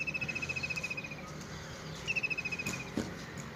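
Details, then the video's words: Village birdsong: two fast, dry, buzzy trills on an even high pitch, the first lasting about a second, the second starting two seconds in, over a soft low rumble. "Birds Singing in a Village"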